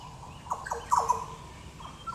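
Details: Rich, gurgling whistled notes, several slurring downward in a quick cluster, from a Yellow Oriole at Goomboora Park, Cairns, Queensland, Australia, on 9 September 2022.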